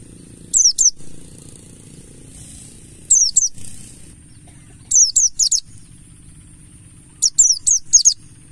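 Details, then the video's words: Mountain white-eye, buxtoni ngalas style, played to make birds start singing: four spaced bursts of two to four shrill, high notes each sliding downward, the later bursts longer, with quiet low hum between. "Pancingan burung Pleci Buxtoni Ngalas"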